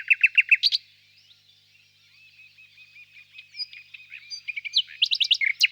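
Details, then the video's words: Common nightingale song: a fast series of about six repeated bright notes, then a soft, quiet stretch of low murmuring phrases building into another rapid run of sharp, high repeated notes. "пение соловья"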